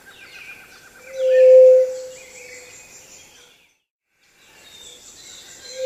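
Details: A Pallid Dove gives its single low, hollow, pitch-steady whoo call, under a second long, over faint high chirps of other birds and insects.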